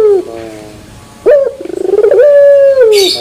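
A Barbary dove gives a low, drawn-out coo: a short opening note, then a rolling, pulsing phrase that swells into one long, steady hum before dropping away.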